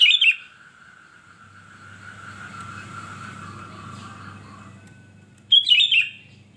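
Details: A sooty-headed bulbul sings two short bursts of bright, bubbling whistled notes, one at the start and one near the end, with a low hum between.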